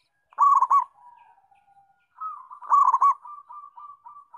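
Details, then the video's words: Zebra dove, a local bird singing well: rolling, trilled coo bursts twice, each followed by a soft, fading series of lower, drawn-out coos. "Perkutut Lokal Gacor"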